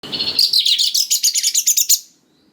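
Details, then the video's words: White-rumped shama (kacer), a lure recording meant to provoke young wild-caught birds to answer: a fast run of about fifteen rapid, harsh buzzy notes, high-pitched and evenly pulsed, ending abruptly in silence. "Pancingan Suara Dasar Kacer Gacor Cocok Sekali Untuk Pendongkrak Emosi Kacer Muda Hutan Agar Nyaut"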